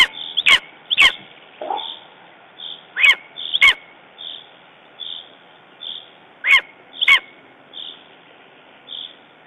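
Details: After a raven attacked its nest in Estonia on 14 June 2011, a lesser spotted eagle gives paired sharp, harsh yelps separated by long gaps, with faint, soft higher tones continuing between.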